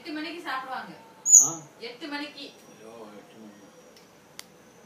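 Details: African grey parrot saying "chicken rice" while playing with a cup: a few clear human-like spoken syllables, one sharp high squeak in the middle, then fading mumbles and a single click near the end.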